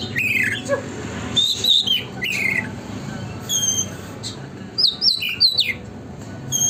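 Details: Oriental magpie-robin in lively, nonstop song, played as a lure so a magpie-robin spreads its tail: varied clear whistles, some sliding downward, then a quick cluster of looping high notes near the end.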